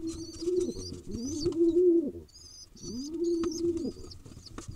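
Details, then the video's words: Young wild pigeon in Israel begging while fed, giving paired high wavering squeaks in bursts, with loud arched low coos underneath and a short pause midway. "Cute Baby Pigeon Looks Like An Adult Getting Fed"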